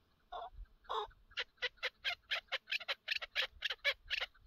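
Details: Chukar partridge during a partridge hunt: two hoarse opening notes, then a fast run of about a dozen sharp, evenly spaced clucking 'chuk' notes, roughly three per second, over a quiet background.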